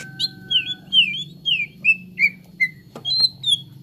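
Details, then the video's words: Whistled phrases from a cucak ijo, or green leafbird, played to coax birds into singing: smooth, drawn-out notes gliding downward one after another, a brief pause, then higher sustained whistles, over a soft low hum. "TERAPI CUCAK IJO BAHAN CEPAT GACOR"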